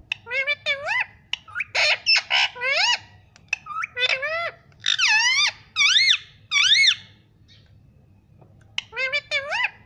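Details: Pet ringneck parrot talking indoors, repeating "mummy" in rapid harmonic syllables with rising, bending inflections, delivered in clustered phrases separated by short pauses, then a final burst after a silence.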